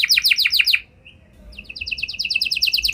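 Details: Canary song used to coax other canaries into singing back: a quick trill of steep descending notes, a brief pause with a soft short whistle, then a finer, faster high trill resuming.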